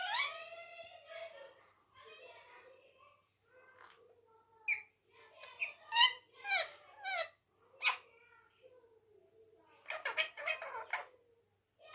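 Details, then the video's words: Ring-necked parakeet talking in Urdu and Hindi indoors: high, nasal, speech-like phrases with stacked harmonics at the start, then sharp squeaky syllables and clicks in short bursts, with quiet pauses between. "amazing talking parrot talking Mithu bayty Urdu and Hindi"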